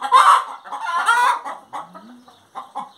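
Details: Short burst of hen singing: two loud drawn cackles followed by a low sliding note and a few quick clucks.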